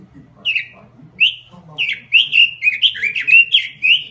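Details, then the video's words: Robin lure song: spaced single swooping whistles build into a quick, continuous run of bright warbled notes, with a soft low hum behind. "Suara Pikat Burung Robin Full Gacor . Masteran Burung Robin"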